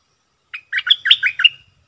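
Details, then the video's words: Caged decoy bulbul singing toward wild birds: one short phrase of five or six bright, warbled notes dipping and rising, clean and loud against a silent background. "นกต่อ ร้อง&ริก!!!ใส่นกป่า merbah lekir gacor"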